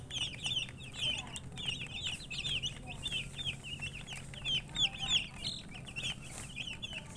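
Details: Chirping baby chicks produce a busy flock chorus of sharp high peeps, about three per second and uneven in spacing, some louder slurred notes standing out, with a low background hum.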